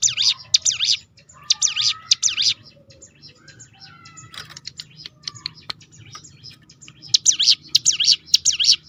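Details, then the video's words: Hill prinia (ciblek gunung) in a rolling 'tembakan' burst used to provoke other birds into singing: rapid high V-shaped swooping notes in short runs, a quieter jumbled passage in the middle, then another fast run. "roll tembakan ciblek gunung memancing bunyi burung lain"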